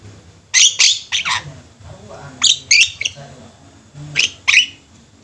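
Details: Flock of Javan mynas kept together, singing: short, loud, grating squawks in pairs and small clusters, spaced about a second or more apart, over a quiet background.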